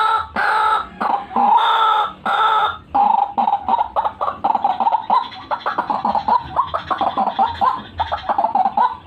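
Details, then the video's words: Luring call of a white-breasted waterhen opening with a few long, loud, drawn-out squawks, then settling into a quick, regular series of short croaking notes. "RUAK RUAK GACORAN"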